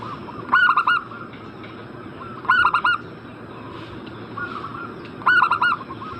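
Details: Lure recording of a zebra dove meant to make a breeding bird answer. Short bursts of three to four rapid, clipped coo notes come about every two seconds, with quieter coo notes between them.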